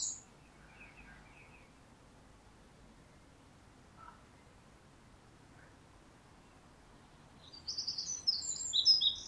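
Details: A wren, a regular garden visitor singing from a neighbour's tree in an open spot, bursts into a loud, rapid, high-pitched trilling song near the end, after mostly quiet outdoor background with a few faint chirps.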